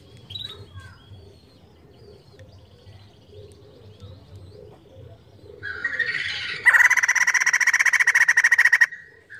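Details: Energetic crested laughingthrush song meant to stir other birds to sing: a quiet stretch with faint chirps, then a buzzy rising phrase leading into a long, rapid series of loud rasping pulses.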